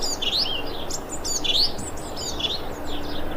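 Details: Thrush calling, recorded 25 February 2021: bright rising notes that sweep upward, repeated about three times in under four seconds, with a steady low background rumble.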